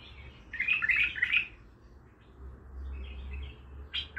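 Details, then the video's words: A Baghdadi bulbul delivers a rich, rapid warbled phrase of several rolling notes lasting about a second, followed by quieter chatter and a sharp closing note. "بلبل طور بغدادي خام"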